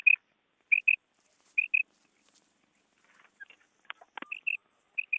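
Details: Female quail giving sharp paired chirps, each pair a quick double note repeated about once a second, with a short burst of clicks and rustling in the middle.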